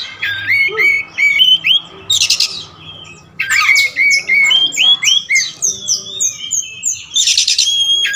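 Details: Oriental magpie-robin of the black wulung form delivers a dense medley. Clear whistled slurs, chattering notes and harsh hissing bursts come in rapid succession, almost without break.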